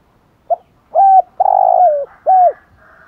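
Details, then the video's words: Spotted dove's thổ-voiced coo for stimulating other doves to call: one phrase made of a brief note, a hooting note, a long, burry coo slurring downward and a final falling hoot, in a quiet setting. "cu gáy Thúc Gù giọng thổ, tiếng chim cu gáy kích bổi hiệu quả gù thổ"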